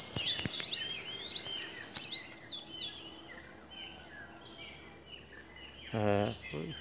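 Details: Blue-gray tanager singing at dawn near a fruiting seriguela tree in the Sambito valley, Brazil: a rapid run of high, squeaky, twittering notes, loudest at first and fading, with a brief man's voice near the end.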